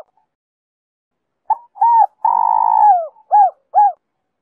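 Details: Spotted dove in its 'Giọng Kim 2 hậu' song, intended to draw wild doves in. After a silent start comes a soft lead-in note, a brief coo, a long purring falling note, and two short rounded closing coos.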